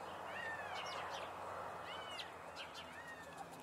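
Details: Chimango caracara screaming, in a recording comparing males and females: drawn-out, arched whistled screams that rise then fall, given in two clusters about a second apart, with scratchy higher notes mixed in over a steady background hiss.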